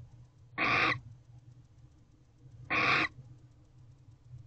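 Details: A female barn owl (Tyto alba) at a nest box at 5:13 am on 8 November 2023, attention on something outside, gives two harsh, hissing screeches, each under half a second and about two seconds apart, over a low steady hum.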